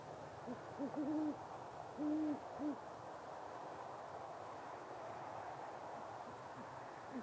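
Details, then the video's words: Courting great horned owls in late fall or early winter, the male hooting emphatically to draw his mate; a faint sequence of low, muffled hoots, short notes around two longer ones, with fainter hoots later over a hissing background. "Great horned owls mating calls"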